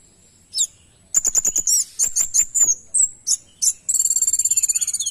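A kemade sings very high, thin notes: sharp chirps and short whistled slurs, ending in a fast, buzzy trill of many even notes.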